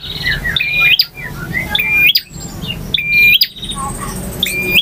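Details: Male bar-winged prinia singing a long varied song in styles called ngotot, ngalun and kristal: high buzzy trilled phrases ending in sharp whistled notes, repeated about every second, broken by abrupt silent gaps, with low background rumble.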